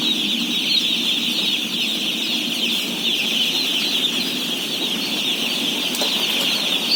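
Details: Chorus of day-old chicks at feeding time, roughly 17,000 of them, giving a steady mass of high cheeping; a single faint tap sounds near the end.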